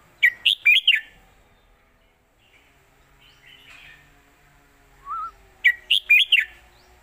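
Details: Red-whiskered bulbul singing a southern Thai-style master song meant for teaching birds: a fast four-note whistled phrase, a long pause with a soft lower note, then the same lively phrase repeated.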